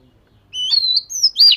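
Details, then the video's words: During daily singing practice, a fish-scale Oriental magpie-robin gives a rising whistle into a long high whistle, then a brief warble and a loud burst to close. "Chòe Than Vẩy Cá Hót Giọng Siêu Hay-Luyện Giọng Chòe Than Hót Hay Mỗi Ngày-Suara Burung Kacer Gacor"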